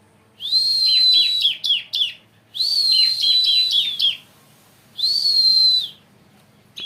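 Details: Bar-winged prinia from a breeding program, still short of full form, singing long, high, shrill sustained phrases with stuttering notes inside, separated by brief pauses.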